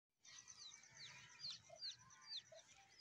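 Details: Grey francolin chick calling: thin, high, downward-sliding peeps in a loose irregular series, a few per second, with soft lower notes between and a quiet background.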